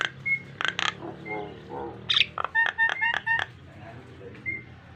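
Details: Nias hill myna song used to train pet mynas: a few short whistles and raspy bursts, then a quick run of evenly spaced clear piping notes, over steady low background hum.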